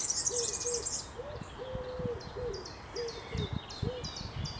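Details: European serin in a graveyard in Berlin, opening with a loud, high, fizzing jangle of notes, then scattered thin high chirps above a lower, rhythmic cooing from another bird.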